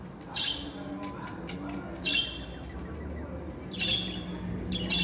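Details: Pet budgerigars, talking males and females, give four piercing, high squawks at intervals of about one and a half seconds, with faint soft chatter between them.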